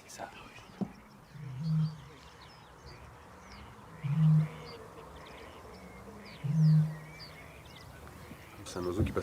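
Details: Eurasian bittern (rare, threatened) booming in the breeding season in the Audomarois marsh, France, during a survey, two males answering each other: deep, hollow foghorn-like booms about every two and a half seconds, small birds twittering faintly.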